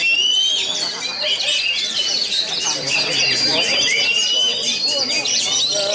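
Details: Competition Oriental magpie-robin, a loud-volume double winner at the RMJ2 Cup, singing loud, rapid, varied whistles and scratchy chatter in a dense, overlapping stream, with other songbirds and faint voices underneath.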